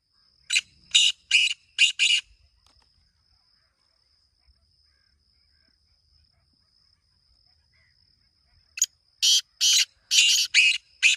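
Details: Kala teetar, the black francolin, calls twice: a phrase of four grating notes, a long quiet pause of about six seconds, then a longer series of six rapid harsh rasps, with a faint steady high tone throughout.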